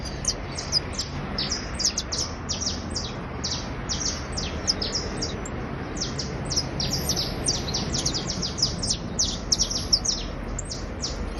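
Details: Criollo basto canary trilling: a dense, continuous run of high, sharp notes sliding downward, delivered in quick rapid bursts throughout, over a steady low background rumble.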